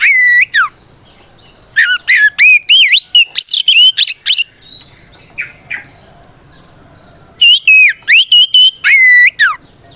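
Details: Oriental magpie-robin (kacer) giving loud challenging song for provoking rivals; a dense burst of rapid whistled and warbled notes, nearly three seconds of faint chatter, then another strong run of sharp descending whistles.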